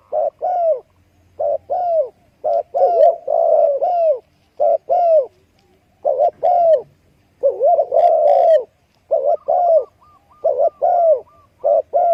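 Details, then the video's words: Spotted dove calling: loud, soft-toned coos around the same low pitch, delivered in short phrases of two to four notes separated by brief pauses, repeated steadily throughout with a clean, quiet background. "spotted dove sound"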